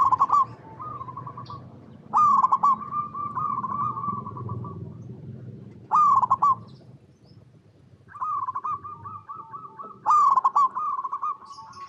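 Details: Local perkutut, the zebra dove, singing vigorously: loud stuttered coo openings each followed by a long, even rolling coo, the phrase repeated roughly every four seconds, low hum beneath.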